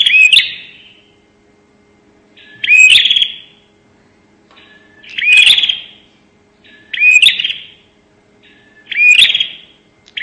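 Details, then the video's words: Bar-winged prinia 'nembak' lure sound: short, explosive buzzy bursts with a brief rising whistle, spaced about two seconds apart, five in all, against a silent background. "pancingan suara burung prenjak nembak"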